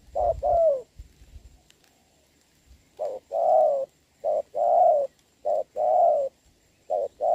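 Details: Rainy-day spotted dove encounter with a decoy bird on 26 November 2022; after a pause, steady low coos in short-long couplets, four pairs, with some low thumps at the start.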